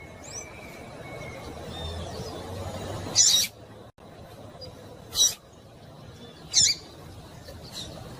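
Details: Female rusty-collared seedeater in breeding condition calling to stimulate the male: three short, sharp, high chip notes spaced about one and a half to two seconds apart over a steady background hiss, with a brief dropout midway.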